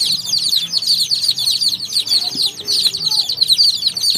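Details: Baby chicks chirping on a farm, a continuous overlapping chorus of high, short peeping notes from many chicks, steady and busy throughout with no pauses.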